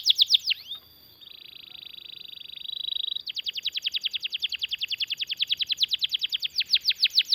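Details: Long-rolling canary song for training other canaries: a few sharp notes, a sustained buzzy steady roll, then a long run of rapid repeated downslurred trill notes.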